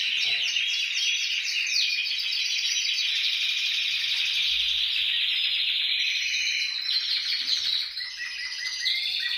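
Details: Canary song played to get canaries singing: long unbroken stream of fast chattering trills and rolls, shifting between phrases with a brief dip near the end before resuming.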